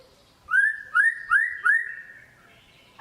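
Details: White-rumped shama singing: four loud, clear whistled notes, each sliding upward, given in quick succession, then a softer drawn-out whistle that fades out, with a brief sharp note at the very end.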